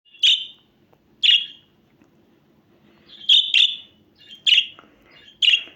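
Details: Budgerigar giving short, bright chirps in an irregular series: two single notes, then a quick double, then two more singles, about six chirps in all over quiet background hum.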